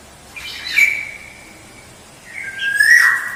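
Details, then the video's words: Black-naped oriole song used as a lure: two drawn-out whistles, the first high and steady after a short rasp, the second lower and rising into a bright fluted flourish, slightly reverberant. "Suara Pancingan Kepodang Emas Gacor"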